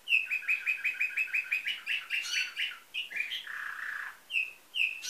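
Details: Canary trained in nightingale-style song, bred in Varna, Bulgaria, 2013: a rapid run of about a dozen identical sharp whistled notes, then a churring buzz, a low rattling trill and two final bright whistles.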